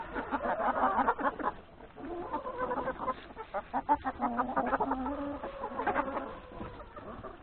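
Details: A flock of hens and three roosters eating breakfast in a yard before forest grazing, giving busy, irregular clucking, about three notes a second, with some drawn, nasal calls rising over the chatter.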